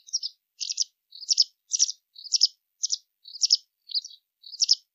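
A white wagtail gives a quick series of high, sharp twittering chirps, two-part phrases repeated about twice a second against a quiet background.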